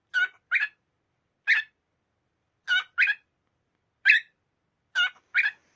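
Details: A cockatiel confronting a pillow gives short, harsh, raspy squawks, often in quick pairs, with brief pauses between them.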